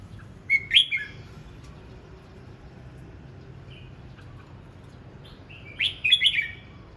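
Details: A red-whiskered bulbul practising its song gives a quick chirpy warbled phrase. A soft whistle follows, then a longer tumbling burst of clear notes near the end.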